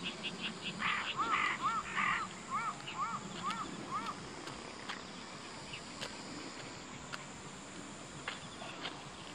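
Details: Bull-headed shrike in an autumn field among shining tall goldenrod in 2014, where a female and a male exchanged territorial cries, gives a run of about seven harsh, arched notes in three seconds, then falls quiet over steady hiss.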